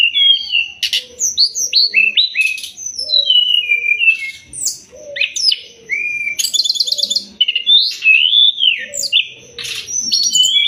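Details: Sumatran leafbird song meant to train songbirds: varied, nonstop whistles, upslurs and downslurs, with sharp chips and occasional harsh rattling bursts, delivered in quick phrases over about ten seconds.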